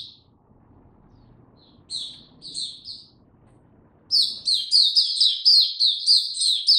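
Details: Mata Puteh, the Oriental white-eye, kept bird recorded 2 May 2022 opening its song slowly: a few soft, scattered high chirps, then from about four seconds a loud, rapid, continuous twitter of bright notes.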